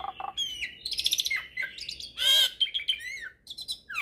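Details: Hybrid starling (jalak hybrid) in full song, a recording meant to teach magpie-robins and kacer birds: dense mix of whistles, harsh rasping bursts, rapid trills and falling slurred notes.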